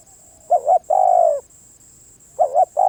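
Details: Cooing of a spotted dove: a quick wavering double note, then a long, level, husky coo. A second phrase starts near the end. A steady high whine persists.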